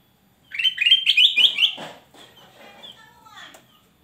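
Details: Loud gacor singing from a male kutilang emas: five or six rapid, sweet whistled notes climbing and dipping in a rolling phrase, followed by softer scratchy chatter and faint thin calls.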